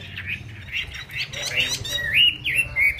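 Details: Chinese hwamei singing with flared, spread-wing display: loud, rich whistled phrases that slur up and down, several notes a second, with a faint low hum underneath.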